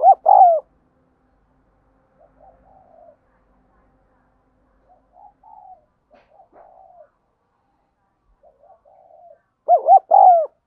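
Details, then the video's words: Spotted dove calling as a lure and training bird. One loud phrase of falling coos opens the recording and another closes it. Very soft, murmured cooing notes are scattered through the long gap between them. "Tiếng chim cu gáy dùng luyện giọng chim bổi và mồi chuẩn nhất"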